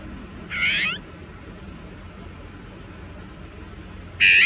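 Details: Azure-winged magpie caught in protective bird netting, unable to free itself, uttering a short, rasping, squealing call, then silence, then a louder harsh call starting abruptly near the end; quiet low background noise.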